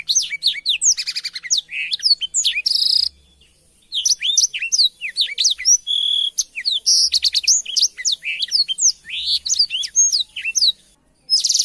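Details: Blackthroat recorded as a master song for canaries: lively, complex warbling of quick swept whistles, rattling trills and buzzy bursts, interrupted by a silent gap around three seconds in, then continuing at high speed.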